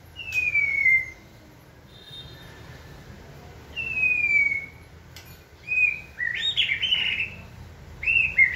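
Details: White-rumped shama encouraged to sing in training: clean falling whistles spaced by silences and clicks, ending in a burst of rich, warbled, high phrases.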